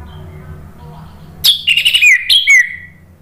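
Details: Orange-headed thrush song, played to provoke other birds into answering: after a quiet start, a loud varied phrase of rich whistled notes, sliding and warbling, ending in a long falling whistle.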